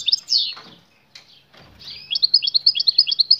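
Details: Female European goldfinch calling to attract a male and prompt mating, the male answering with song; high twittering chirps open, then a fast run of bright, regularly repeated metallic notes fills the second half.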